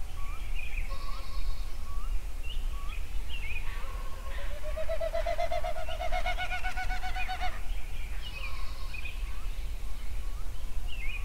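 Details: Songbirds at sunrise at Yellowstone, several voices overlapping: brief upslurred whistles repeat steadily while a dense, buzzy rising song swells in the middle and then fades, over a constant low background roar.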